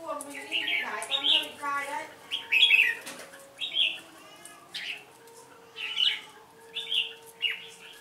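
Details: Red-whiskered bulbuls, two birds in a singing contest with a decoy bird. Quick chirpy warbled phrases repeat roughly every second, with a fast rattling trill near the start and a faint steady drone beneath.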